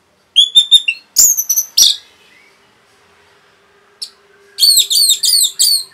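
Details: Orange-headed thrush singing rapidly to provoke other birds: bright, descending whistled notes and sharp chirps, a pause, then a quick run of about five ringing, repeated slurred notes.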